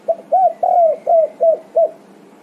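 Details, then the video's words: Tekukur, the Spotted dove, in lively calling to answer companions: six mellow cooing notes in a quick phrase, a faint first coo, a long slurred third note, then evenly spaced shorter coos fading slightly. "SEDETIK LANGSUNG NYAHUT!! TEKUKUR GACOR"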